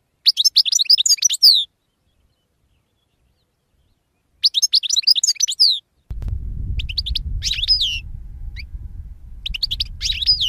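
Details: Goldfinch song in two short bursts of fast, tinkling high chirps separated by silence, then scattered twittered notes over a low rumbling background noise.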